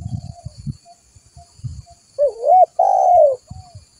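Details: Spotted dove lure call used to draw other doves in: after low thumping knocks, two loud cooing notes follow, the first wavering, the second a long smooth coo falling at its end.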